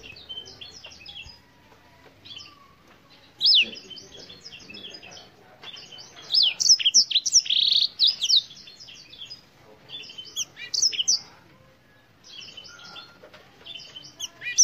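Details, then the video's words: Black-throated canary song in repeated bursts of high, rapid twittering and sweeping whistles, loudest in the middle, separated by quieter gaps, with faint low background sounds. "BlackThroat - Canary BlackThroat Sound"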